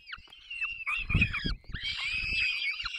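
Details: Peregrine falcon nestlings in the Barycz Valley, 3 May 2024, calling while the adult pair feeds them: strained, rasping wails that bend downward, then a long continuous screaming chorus over low thumping noise.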